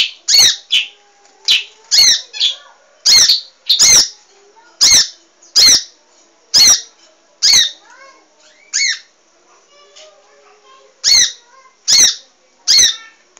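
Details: Cage-bird training recording of a munia giving strident, rasping high chirps in bursts, roughly fifteen notes, with a quieter pause near the middle before the rapid chirping resumes.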